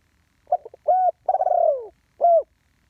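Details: Spotted dove, a live ground decoy, delivering one full one-kuk phrase. Soft clipped opening notes are followed by a clear level coo and a long trembling coo sliding down. A final rounded coo closes the phrase.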